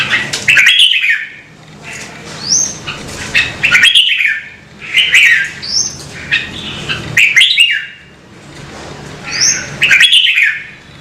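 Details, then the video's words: Caged red-whiskered bulbul prompted to sing, giving strong warbled phrases roughly every two seconds, each a quick rising and falling whistle with a high upslurred note, and a low background hum. "CHÀO MÀO | Kích chim nhạy hót - Thúc chim hót hay căng lửa"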